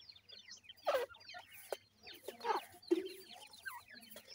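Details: Grey francolin (teetar) chicks calling: a dense chorus of many thin, high, downslurred peeps overlapping continuously, with a few louder, lower rough notes at intervals and a faint low hum beneath.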